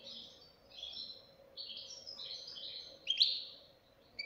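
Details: Young European goldfinch giving a softer run of twittering, slurred notes over a steady background hiss, ending in a sharper, louder chirp.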